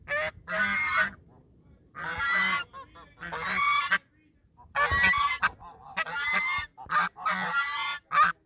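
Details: Honking duet of geese at the Sosúa River mouth in the Dominican Republic: a lively string of harsh, trumpeting calls, about eight bursts, the later ones coming faster and closer together.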